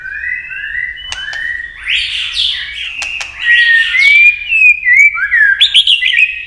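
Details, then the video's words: White-rumped shama pouring out a long, stream-like competitive song. Paired rising whistles, then dense overlapping phrases and clear sliding whistles, closing with a bright high flourish. "Chòe lửa kéo dây suối dài .đánh đuôi cực sung kích cực nhạy. kích chòe lửa căng lửa. chòe lửa tạch"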